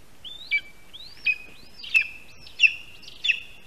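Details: Lesser spotted eagle in Latvia, nest in a spruce, afternoon of 22 August 2021 as a rat is brought to the nest; high, thin yelping calls with a brief rising lead-in, spaced under a second apart.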